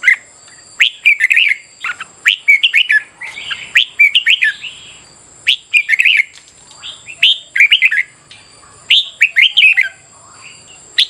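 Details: Red-whiskered bulbul training song for competitive singing in the morning, busy series of bright warbled phrases rising and falling, repeated almost continuously with short breaks, a high steady hum throughout.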